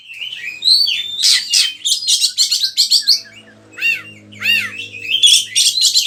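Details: Energetic oriental magpie-robin song, recorded as lure material for tutoring other birds: a varied medley of slurred whistles, rising and falling notes and harsh buzzy bursts, loud and high-pitched throughout, with a faint low hum behind.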